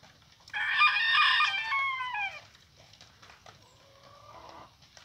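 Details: Rooster crowing: one loud, harmonic-rich crow of about two seconds that slides downward at its close, followed by a fainter, shorter tonal call.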